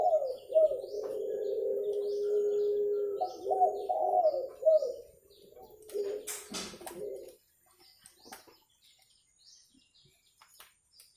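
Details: Spotted dove recorded clearly for use in luring birds: a long, steady, low coo sequence with husky, rolling notes for about seven seconds, then near quiet with faint high twittering of other birds.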